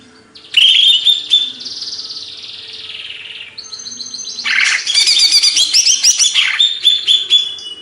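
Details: Banyuwangi greater green leafbird, an Indonesian songbird-hobby bird, opening with a bright whistle that fades into a wavering tone, then breaking into a long run of busy, high chattering and whistled notes.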